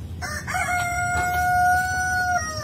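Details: Ayam ketawa, the Indonesian laughing chicken, gives a sweet-voiced crow: a short rough opening, then one long, steady, clear drawn-out note held for nearly two seconds over a low rumble.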